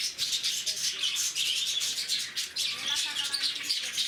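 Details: Several lovebirds kept at Bannerghatta Zoo, Bangalore, keep up dense shrill chirping and squeaky twittering calls that overlap continuously, with a few louder squawk-like notes rising above the din.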